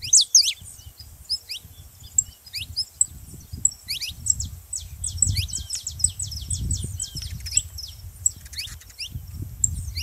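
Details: Saffron finch song meant to prompt a canary to sing: thin, high, slurred chirps in loose bursts, partly masked by steady low rumbling noise.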